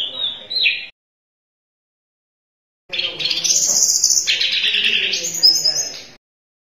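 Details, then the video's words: Sunda robin singing in lively gacor form on a tutor recording: a short high whistled phrase, a pause, then a longer loud run of rapid, high, slightly buzzy notes with quick pitch jumps. "Suara Tledekan Gunung Gacor"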